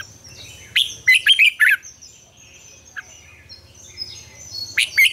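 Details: Red-whiskered bulbul morning song, an old wild-style double-note song used to train other birds: a loud burst of four quick clipped whistled notes, then a quieter gap and a few more rising notes, with distant birds chirping.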